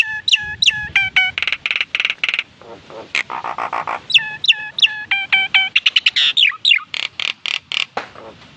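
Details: Nias hill myna singing actively, a bird said to imitate human speech; a loud, fast, varied run of harsh broadband bursts and bright stacked whistled notes with sharp upward and downward sweeps, about three notes per second.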